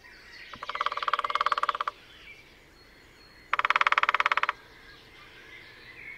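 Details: At Sandemar Reserve, Sweden, a lesser spotted woodpecker drums in early-morning display on territory with its mate nearby, recorded by parabola in sunshine: two machine-gun-like rolls, the first longer and building in loudness, with soft birdsong behind.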